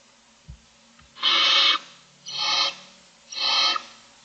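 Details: Six Barn Owl owlets in a nest box on camera, morning of day 25, begging for food: soft clicks, then three harsh, broadband hissing screeches spaced about a second apart.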